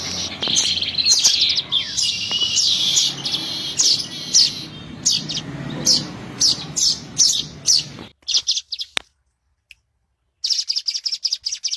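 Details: Trapping lure of weaver calls: continuous high twittering chatter with regular sharp ticks for eight seconds. Then a few clipped chirps, a silent gap, and the chattering resumes at the end.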